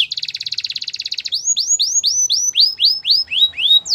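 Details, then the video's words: Singing white canary in a training song: a fast pulsing trill for a second, followed by a series of clear upswept whistled notes, each arching and repeated roughly every third of a second. "Canary training song | White canary singing with beautiful melodies"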